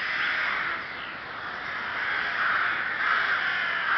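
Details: Chrudim's Ptačí ostrovy nature monument, Czech Republic, 30 May 2011: a mass of rooks giving rasping, overlapping caws in rapid succession, forming a dense, restless chorus.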